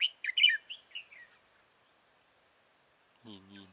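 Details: Red-whiskered bulbul being trapped at Chương Mỹ on 7 October 2018, giving a loud string of quick, liquid whistled notes that fade out, then silence before a human voice is heard at the end.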